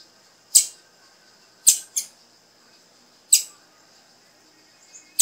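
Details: Female blue-black grassquit calling to encourage a male to sing: sharp, high, explosive chips, some single and one close pair, spaced irregularly about a second or more apart, over a faint steady high-pitched hum.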